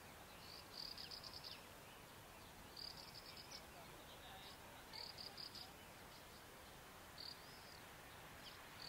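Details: Graceful prinia calling: short bursts of rapid, high, buzzy chattering notes, each phrase about half a second long and repeated roughly every two seconds, over a steady hiss of background noise.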